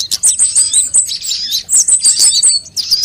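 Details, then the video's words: Sunbird sounds used as a lure to draw birds into singing: dense, high, rapid chirps and thin twittering trills in quick bursts, with short gaps between phrases. "suara pikat semua jenis burung kolibri"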